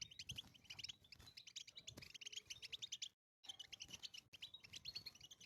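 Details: European goldfinch in the wild pouring out rapid tinkling twitters and short buzzy notes in bitbita style. The song breaks off for a moment, then resumes just as quickly.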